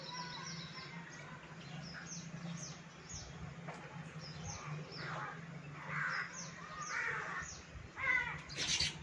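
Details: Monsoon-season Baya weavers visiting a balcony: rapid high descending chirps tumble in quick runs, joined later by louder, harsher buzzy notes, all above a constant low hum.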